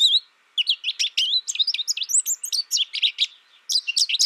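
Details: American Goldfinch singing a rapid, varied run of high twittering and warbled notes, some sliding up or down, in two bursts separated by a short pause; no other sounds.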